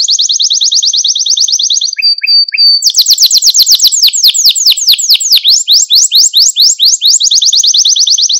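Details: Training song for young canaries, used to stimulate and excite them: a bright rapid trill, a brief steady whistle with a few lower chirps, then a long run of fast sweeping notes repeated about twice per second.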